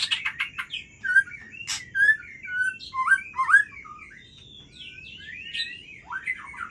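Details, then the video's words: White-rumped shama singing at midnight, a varied run of whistled, slurred phrases and sharp chirps rising and falling in pitch, with bursts of harsher notes and steady low background hum. "Murai Aceh Bergaya Tengah Malam"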